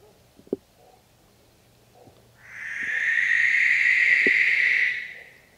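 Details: Barn owl: a few faint clicks and taps, then a drawn-out rasping, hissy screech lasting about two and a half seconds that rises, holds steady and fades away.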